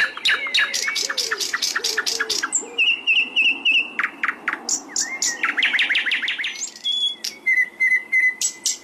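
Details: Sikatan londo flycatcher song from an Indonesian masteran training recording meant to make birds sing: rapid, varied high chirps and sharp notes, steady whistled trills near mid-clip, dense and fast, with faint lower whistles early on.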